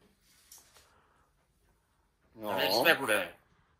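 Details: A talking lory at Tropic Hukvaldy gives one second-long, throaty, speech-like phrase with a wavering pitch, after faint scattered sounds in a quiet room.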